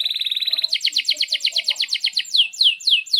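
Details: A highly active canary in breeding excitement, performing cuit-cuit notes and long rolls for tutoring young canaries: a thin fast trill gives way to repeated stacked notes, then slower, clearly separated downward-sweeping chirps.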